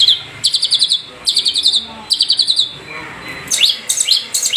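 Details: Long-tailed Shrike of the Madura type giving rapid, scratchy chattering bursts of high notes, several phrases in quick succession, ending with sharp sweeping whistles.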